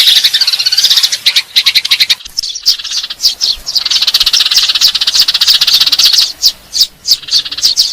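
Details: Eurasian tree sparrow fighting call meant to attract birds for trapping: rapid shrill chirps in bursts, a short pause after two seconds, then steady overlapping chatter with sharp separate notes toward the end.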